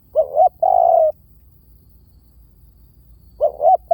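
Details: Spotted dove decoy call. A phrase of two quick hooting notes leads into a long, steady, mellow coo, and a second phrase begins about three seconds later. Background otherwise quiet.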